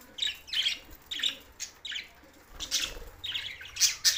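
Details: Budgerigars, Larkana, Sindh, June 7, 2024: separate short, sharp chirps spaced about half a second apart, some squeaky and whistled, over a quiet background.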